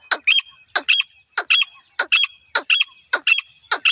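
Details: Wild female grey francolin call used for hunting: harsh, grating notes delivered in pairs, the pairs repeated steadily about every 0.6 seconds, loud and clear against a quiet background.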